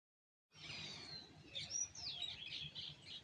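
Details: Morning birds chirping at sunrise: several high, thin whistled notes and quick twittering chirps overlap, with a short clear whistle and rapid chattering phrases, over a low, steady outdoor hum.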